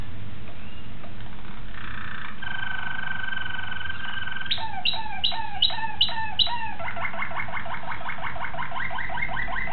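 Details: Young Waterslager canary, Malinois type, from 2009: a soft warble leads into long steady whistled tones, then a run of sharp descending notes about twice a second, ending in a fast bubbling water-like roll.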